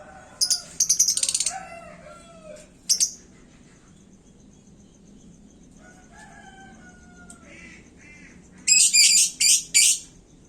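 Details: Hung-up caged lovebird singing hotly to provoke other birds gives loud bursts of high, harsh chattering at the start and end. A rooster crows clearly between them.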